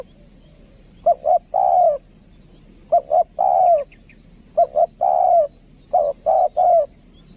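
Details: Decoy spotted dove cooing in the eloquent 'khaa-rom' manner: three coo phrases, each two quick soft notes followed by a longer, fuller, slightly downward coo, spaced about two seconds apart in quiet surroundings.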